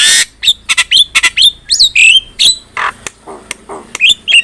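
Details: Javan myna, a caged songbird used as a training recording, delivering a loud, varied series of harsh squawks and sharp whistled notes, several rising whistles and noisy bursts in quick succession.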